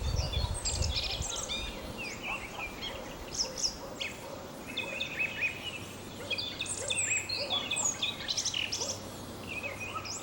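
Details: Song thrush (Turdus philomelos) singing in spring, perched high in an ash at the edge of old oak forest near Sudak, Crimea, marking territory. It gives bright, varied whistled and chattering phrases with other birds around, a low rumble and faint hum.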